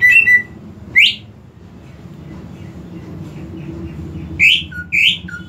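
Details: Greater green leafbird, caged, giving flat whistles, then a rising sweep, a quiet pause, and three more rising whistles with short lower notes, over steady low background hum.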